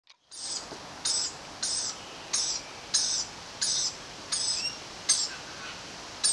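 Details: Rainbow lorikeet chick being fed chewed sunflower seeds by its mother, father perched higher, gives harsh, high, rasping squawks, about one and a half per second, over faint hiss.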